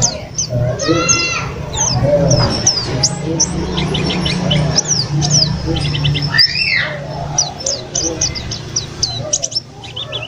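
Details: Captive white-eye, bought from a bird trader, singing energetically after three days at home, sunned by day then cooled: rapid thin high chirps and quick down-slurred notes in dense bursts, one longer looping whistle midway, over a steady low hum.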